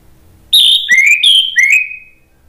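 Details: Orange-headed thrush singing a provoking song meant to make other thrushes answer: two loud whistled phrases, each opening high then sliding to a lower, slightly rising drawn-out whistle, the second trailing off; quiet background.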